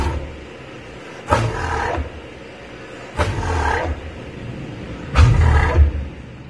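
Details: Southern Cassowary warning rumble, a call that signals its presence to potential threats: three deep booming low-frequency rumbles, each under a second and about two seconds apart, low enough to feel almost like vibration.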